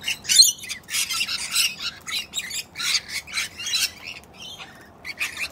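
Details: Corellas on a rainy day, one cranky bird kicking another, giving harsh, raspy screeches in short bursts at an irregular pace, with brief pauses between them.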